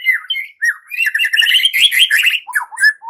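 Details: White-rumped shama song for provoking young forest and pastol birds: a rapid, continuous, rich warble of rolled and chattering notes at mid to high pitch, ending with a few downslurred whistles.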